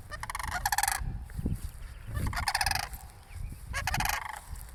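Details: A pair of cranes near a church, with someone walking toward them, give three grating, pulsed rattles separated by pauses, with some low background thumps.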